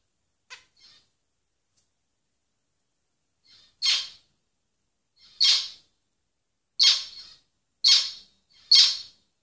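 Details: Zebra finch (Taeniopygia guttata), song.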